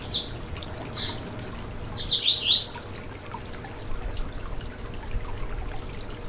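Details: Song of the Yellow-bellied seedeater, known in Brazil as coleiro baiano, used to get a caged bird singing: two high buzzy notes about a second apart, then a quick loud burst of sharp, high, slurred chirps, over quiet background hiss.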